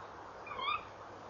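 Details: A tawny owl at a nest box in the evening, late November 2013, gives one quick, sharp call that sweeps upward in pitch, against soft background hum.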